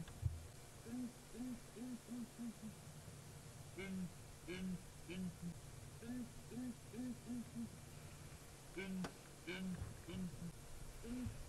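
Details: A group of Southern Ground Hornbills in Djuma Game Reserve on July 3, 2017 gives a morning chorus from atop a dead tree: deep, hollow booming hoots in runs of three or four, several birds overlapping over a low hum.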